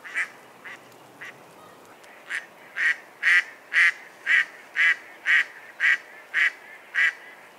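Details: Mallard duck quacking: a few soft, hesitant quacks, then a strong, even series of loud, rasping quacks spaced roughly half a second apart.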